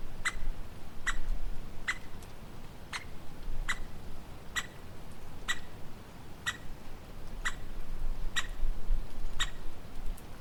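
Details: Woodpecker uttering a series of short, sharp, clicking call notes, about a dozen repeated roughly every three-quarters of a second, with low-frequency background rumble.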